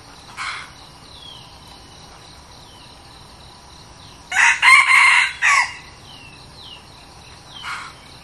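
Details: A new red junglefowl decoy bird, being tried out, crows once loudly in several harsh, ragged segments lasting about a second and a half. Faint distant crows come before and after, and thin whistled notes from other birds sound throughout.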